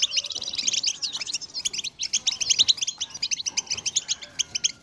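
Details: European goldfinch singing a dense, tinkling twitter of rapid high chirps and trills, used as a motivational track to set goldfinches singing nonstop; bright notes tumble together with barely a pause.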